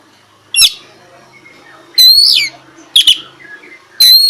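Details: Oriental magpie-robin giving four widely spaced, strident, sharply rising and falling notes over a low steady hum.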